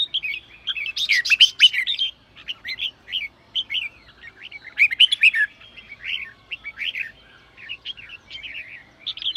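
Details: Red-whiskered bulbul singing sổ bọng style, a song said to trigger newly caught birds: a loud, busy outburst at the start followed by a steady flow of short, bouncy warbled phrases.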